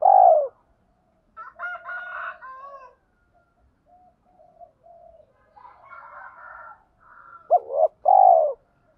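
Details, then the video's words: Spotted dove in the mixed thổ-đồng voice, calling to stir decoy doves. A loud low coo opens the clip. Raspy, higher calls fill the middle, and a hooked double note and a long coo close it. "tiếng chim cu gáy giọng thổ pha đồng, cu gay kich boi nhanh noi gù"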